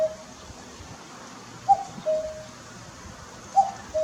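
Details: Common cuckoo on a pole by a garden, late May around five in the afternoon: repeated two-note cuck-oo calls, high then lower and drawn out, over quiet background hiss.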